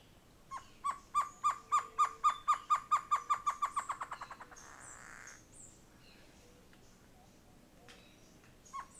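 Great Antshrike: a run of mid-pitched hooting notes that speeds up over about four seconds and ends in a short harsh snarl, with a faint background hiss.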